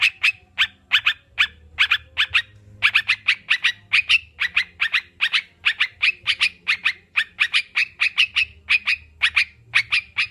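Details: Sooty-headed bulbul, meant to make kept birds sing sooner: dense series of crisp chirping notes, quickening in the middle into rapid runs, over a quiet low rumble.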